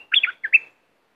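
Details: Fast, fluty bulbul phrase from southern Thailand, used to excite birds for trapping: a warbled rising-falling run, a dip, then a clear level whistle fading out.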